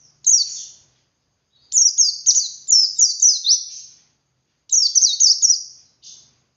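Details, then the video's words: White-eye (pleci) 'ngalas' wild-style song with 'wit wit' variation, used as a lure for other white-eyes; a lone sweeping note, then a long string of rapid high twitters, another phrase and a short final chirp. "Suara Burung Pleci Ngalas Untuk Pancingan Pleci Bahan"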